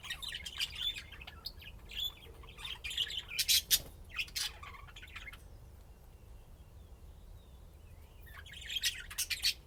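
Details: Budgerigars playing and chirping: bursts of rapid scratchy warbling and sharp clicks, a quieter pause in the middle, then a renewed chattering burst near the end over low hum.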